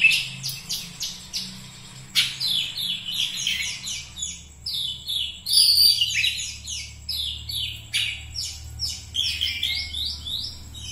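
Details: Energetic Oriental magpie-robin song: fast repeated downward-slurred chirps and whistles in dense runs, a brief pause mid-way, then more rapid sweeping notes, with a low steady hum underneath.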